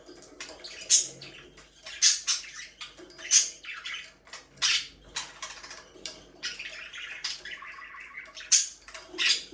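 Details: Pet budgerigars chirping: irregular, harsh, high chirps and squeaky notes come every second or so, with one brief warbled, wavering phrase near the end.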